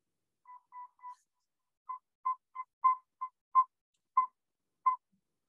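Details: Northern Saw-whet Owl, a small owl of about seven to eight inches that nests in cavities, gives a steady run of about eleven clear, mid-pitched whistled toots, roughly two per second; first three soft, the rest louder.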